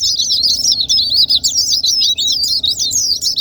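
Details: White-eye song for provoking silent white-eyes to sing, with loud, quick high slurred chirps and sweeping whistled notes in short rhythmic bursts.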